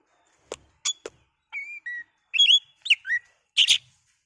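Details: Oriental magpie-robin song played to excite a kacer so it sings: opening dry clicks, then steady whistled notes followed by twisting, sliding whistles and a final harsh burst.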